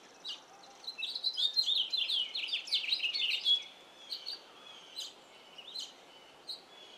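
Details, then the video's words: Male House Finch singing in a yard, at times with his mouth full: a long, jumbled warble of quick chirps and slurred notes for about three seconds, then scattered short chirps, other wild birds seemingly joining in. "House Finch singing"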